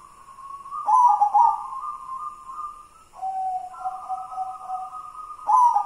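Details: Near-continuous cooing from a white zebra dove of local wild stock: repeated rolling, bubbling bursts linked by long, steady humming notes, each phrase shifting slightly in pitch, with a fresh burst at the end.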